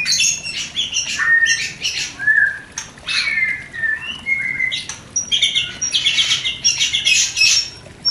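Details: Mating song of white-rumped shama used to provoke breeding desire in a new pair: scratchy, buzzy phrases mixed with short whistles and harsh rasping bursts.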